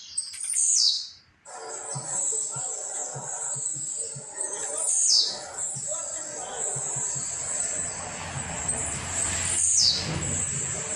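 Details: At home in training, a Blue-black grassquit repeats its brief buzzy song note three times, each sliding steeply downward, with pauses of several seconds, a steady high hiss and soft low thumps behind.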